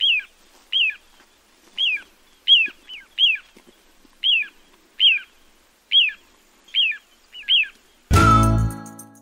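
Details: Little ringed plover (Charadrius dubius) giving about a dozen short, high, down-slurred 'pee-oo' whistles at an uneven pace, ending with a sudden burst of music.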